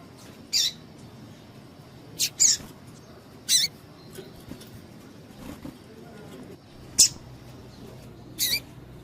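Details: Female double-collared seedeater calling to excite males, a call breeders use to warm up singing birds: about seven short, sharp high chips spaced irregularly over nine seconds, with faint background hiss.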